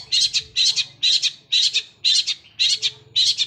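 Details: Long-tailed shrike delivering harsh, rapid rolling phrases compared to a sewing machine. Short grating bursts repeat about twice a second, each a quick double pulse.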